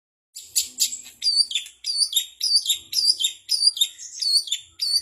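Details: Long-tailed shrike (cendet) singing a learned repertoire that mimics sooty-headed bulbul, canary, fighting tree sparrow and bar-winged prinia. Bright, high chirpy phrases with quick downslurred notes, repeated nearly twice a second in a lively, uneven stream.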